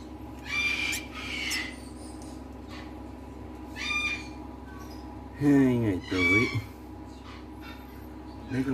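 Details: Raspy, wheezy squawks in short bursts every second or two from a hand-raised young blue-eyed cockatoo, apparently a chick about two days old gaping for food, with a person speaking softly in between.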